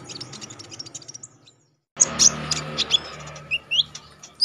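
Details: A konin (Olive-backed Sunbird), a contest songbird recorded for training, gives high, scratchy chips. They break off in brief silence, then return as sharp notes and short whistles over a noisy background hum.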